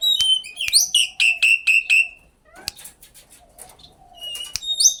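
A common myna gives a quick run of about six loud, harsh, slurred whistles, then scattered clicks and softer chatter, with sharp notes again near the end.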